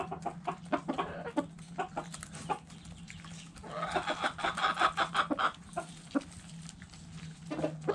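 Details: Backyard chickens inside the coop, hens clucking: scattered clucks, then a quick rising string of clucks around the middle, more scattered clucks after, over a low hum.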